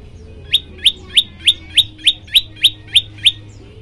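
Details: Olive-backed tailorbird song used as a training recording to set other birds singing: about ten sharp, high chirps repeated roughly every third of a second in an even, rapid series, with a faint low hum underneath.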